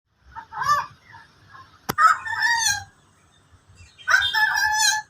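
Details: Endemic bird known locally as koak kaok, giving harsh, nasal, harmonic-rich calls in separate bursts around one, two and four seconds, with quiet gaps between.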